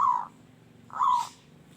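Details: Local zebra dove with a harsh, loud voice giving two short low cooing notes, each slightly falling, separated by a pause of under a second, with faint background hiss.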